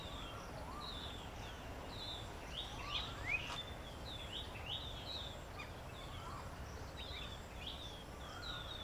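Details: A pair of Asian pied starlings perches and preens in an Acacia tree near their nest in Delhi during the spring breeding season, giving a busy stream of short, high chirps and slurred whistles, a few per second, with occasional lower falling notes over a steady low rumble.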